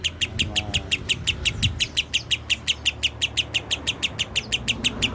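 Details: Lovebird song of the rasa kapas tembak style: a steady, unbroken stream of bright, high-pitched chips, roughly three per second, evenly spaced throughout, with faint low noises in the background.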